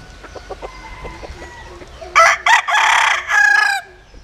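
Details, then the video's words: Bantam rooster from a Japanese bantam hen and Cuban cock, crowing strongly: an abrupt harsh onset, brief pause, then a sustained quavering note ending in a short final phrase, with quiet clucks beforehand. "Gà Tre Jap Cuban Tiếng Gáy Rất Sung"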